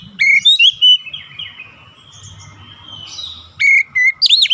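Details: Oriental magpie-robin practising daily for a long rolling song: an opening phrase of clear whistles with quick slides, a soft drawn-out warble, then fresh loud whistled notes ending in a high twisting flourish.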